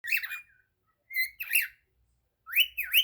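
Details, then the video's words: Cockatiel singing: bursts of bright whistled notes that sweep up and down, in three groups separated by short pauses, with faint low rumble underneath. "Calopsita cantando ❤ cockatiel singing"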